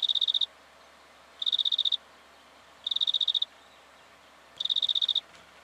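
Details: Black-fronted dotterel in Victoria, Australia, October 2011: four short bursts of rapid, high metallic ticking notes, each about half a second, spaced over a second apart against quiet background hiss.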